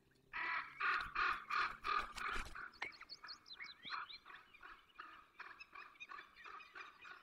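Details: Peregrine falcon in the Barycz Valley on 24 April 2021 at 8:20, giving a run of loud, harsh, grating notes about three per second. The notes then fade into softer repeats while thin high songbird whistles twitter behind them.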